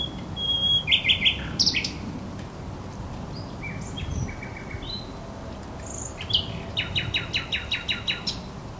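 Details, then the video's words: Song of a thrush nightingale by the Żerań Canal, 24 April 2022. Rapid clicking rattles open and close the phrase, with pure whistled notes between them, over a low background rumble. "Śpiew słowika rdzawego"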